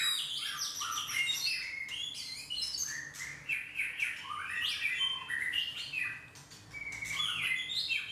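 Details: A White-rumped Shama missing its two primary tail feathers sings a rich, unbroken stream of varied whistles, sweeping slurs and quick chirps, mostly high-pitched, over a faint low hum.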